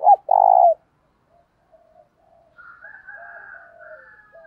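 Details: Spotted dove call used in daily decoy training: one loud phrase of a quick note and a rolled throbbing coo at the start, then near silence and faint chattering of other birds.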